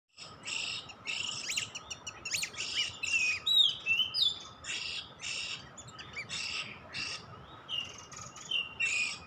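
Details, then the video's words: Oriental magpie-robin (kacer), a lure recording for bird catching: loud harsh buzzy bursts repeated rapidly, mixed with short sweeping whistles and rising slurred notes, with a steady faint hum beneath. "Mikat Kacer"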